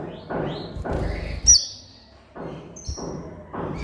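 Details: Van Hasselt's sunbird singing on a master recording meant to coax lazy caged birds. One loud shrill high note, then a thin drawn-out whistle, between bursts of dull knocking.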